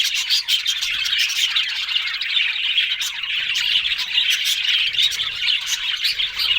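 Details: Budgerigars chirping and squawking in a continuous high chorus, sharp squeaky accents popping out over the busy warble.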